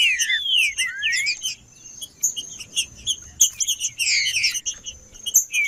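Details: Male green-winged saltator singing to warm up, loud clear whistled phrases sliding down, then a busier stretch of chirps and notes among other birds, with a steady high background tone.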